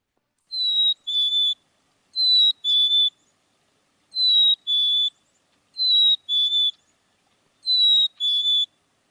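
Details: Black-capped chickadee song, a clear, smooth two-note whistle, the second note slightly lower, heard as "hey, sweetie". It is repeated five times about every two seconds, with no other sounds.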